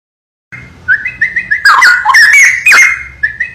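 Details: Straw-headed bulbul singing: after a brief silence, loud clear whistled notes around a steady pitch give way to a rich burst of bubbling, gurgling warbles with sharp rising and falling slurs.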